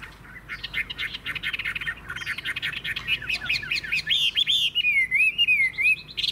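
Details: A caged hwamei with a loud, strong song gives a fast series of sharp chirped notes that builds into clear, wavering whistled slurs toward the end.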